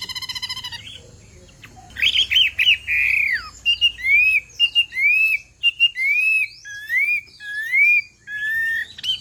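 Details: Chinese hwamei, a female calling to urge a male to sing, gives a fluttering trill, then a string of crisp rising whistled notes, repeated steadily and interspersed with short high chips.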